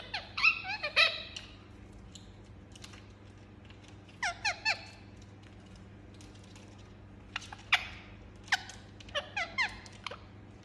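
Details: Indian ringneck parakeet kept as a pet, making a series of squeaky, chattering squawks in short clusters separated by quiet pauses, in a quiet indoor setting.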